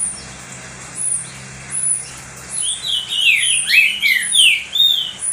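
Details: Green-winged saltator, a pet bird, singing a lot to warm up and stimulate other saltators: bright clear whistled phrases of falling and rising slurred notes, loud and repeated, building in intensity over several seconds.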